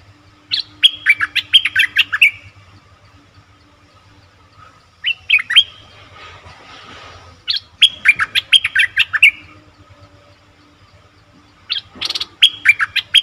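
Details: Bulbul used as a lure for wild birds, giving bubbly whistled phrases of several quick notes, repeated four times with gaps of a few seconds, and a brief soft rustle between phrases over low steady hum.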